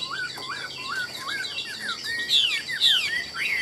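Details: A caged Chinese hwamei, sold as a tireless, ornate singer. Short upslurred whistles repeat about twice a second, then give way to louder, sharper downslurred notes.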